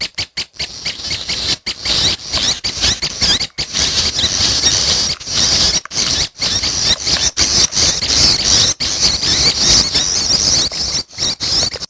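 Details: Nestling red-headed prenjak calling for food: continuous shrill, hissing chatter, high and scratchy, with only brief breaks throughout.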